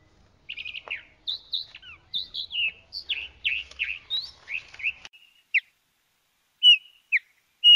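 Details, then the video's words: Chalk-browed mockingbird song of varied slurred whistles and chirps in quick sequence, each phrase changing pitch, then trailing into a few isolated notes with silent gaps; quiet setting. "Calandria Grande Canto - Calandria Grande - Chalk-browed Mockingbird Bird Song"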